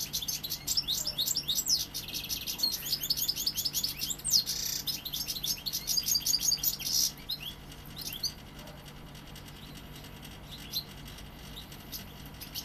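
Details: Young goldfinch from Seville in song: a fast, tumbling flow of bright twitters, trills and thin whistled slurs for about eight seconds, then fading to faint scattered ticks.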